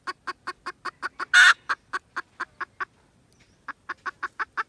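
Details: Red junglefowl recorded 16 December 2021, giving a steady run of short, evenly spaced clucks about four per second, broken once by a loud harsh burst and a brief pause before the clucking resumes.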